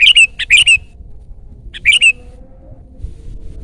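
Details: Loud Sooty-headed bulbul song for luring and tutoring birds: a fast run of three or four liquid, down-slurred notes, then after a pause a matching two-note phrase, crisp over a quiet backdrop.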